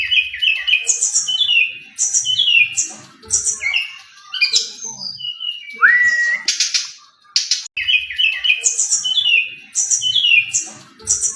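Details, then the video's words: Brown-chested jungle flycatcher singing persistently in a clear, flute-like style with rich varied phrases: high whistled notes sliding downward in quick repeated groups, separated by short buzzy trills and one lower rising whistle near the middle. "Suara SRDC Gacor Merdu, Isian Mewah.. Suara Jernih + Nyuling.."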